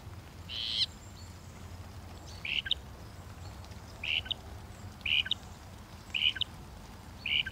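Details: Northern mockingbird giving short, harsh notes, each repeated about once a second, with steady low background noise.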